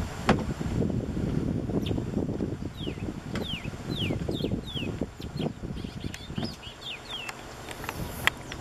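Nicaraguan seed finch song: a run of clear, down-slurred whistled notes, about two a second, over the low rumble of a boat engine and water.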